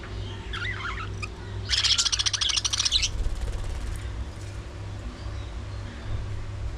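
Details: Budgerigars during early morning feeding, with a few soft warbles and then a dense, loud burst of rapid scratchy chatter lasting over a second, fading into quieter twitters against a constant low hum.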